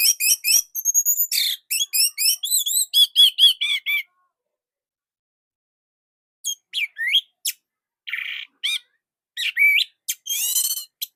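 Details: Short, tight, loud Orange-headed thrush song kept as a training master for other thrushes: four seconds of rapid, varied whistled upslurs and trills, a pause, then scattered sharp notes, a buzzy burst, and a final harsh, noisy phrase.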